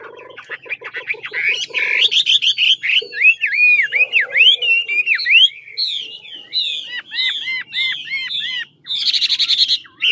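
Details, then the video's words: Lạng Sơn Chinese hwamei of the 'ngũ trường' kind in vocal training, opening with low rattling notes, then a run of clear dipping whistles repeated rhythmically, rising slurs and a dense buzzy burst at the close. "Mi ngũ trường to đẹp hót dẻo VIP Lạng sơn"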